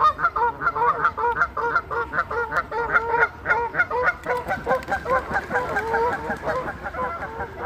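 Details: A Canada goose causing havoc gives loud, nasal, overlapping honks, about two or three a second, in a steady harsh stream with no pauses.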